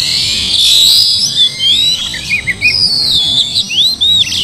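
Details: Slowed Oriental magpie-robin song meant to goad a quiet bird into singing and fighting: bright whistled notes, many arching slurs and looping phrases, continuous and layered, high-pitched throughout with no background sounds.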